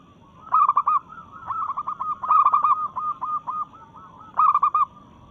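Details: Zebra dove of local stock singing in breeding condition to challenge rivals. Loud clusters of fast, rolling coos alternate with softer trilled cooing from another dove.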